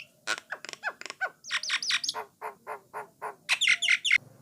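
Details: Jalak Nias or Jalak Coklat starling song, used to encourage other starlings to sing. Chattering bursts give way to squeaky upswept whistles, a string of even rhythmic notes, then shrill looping whistles.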